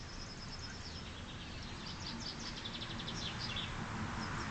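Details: Chaffinch singing in spring: a fast descending series of bright high notes running into a flourish near the end, faint against steady low rumbling background noise.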